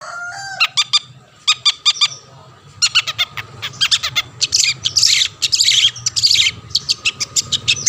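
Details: Long-tailed shrike singing energetically to provoke other shrikes into song: quick clicking notes with ringing overtones, then dense harsh chattering bursts packed together, over a faint steady low hum.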